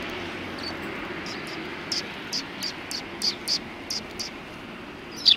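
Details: Sparse high chirps from Eurasian tree sparrows resting after feeding on 26 January 2020, a short run of notes in the middle and one louder chirp near the end.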